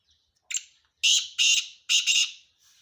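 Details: Male black francolin calling loudly: one short rasping lead note, then three harsh, grating, buzzy bursts, the last split in two, with a faint rough note trailing after.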